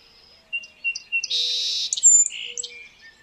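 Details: Song sparrow singing: spaced clear introductory notes at two pitches, a loud broad buzz lasting about half a second, then a bright high note and lower buzzy tail phrases. A faint low tone sits in the background.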